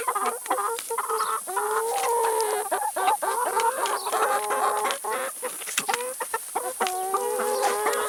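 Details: Chickens eating salad and vegetables, a flock giving overlapping harmonic clucks and drawn-out murmuring calls without pause, with scattered pecking clicks throughout.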